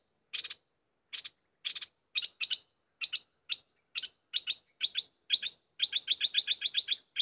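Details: Wild bulbul lured by a decoy, giving bursts of short, bright chirping notes in loose groups. The bursts come faster and run together into a rapid chattering series near the end.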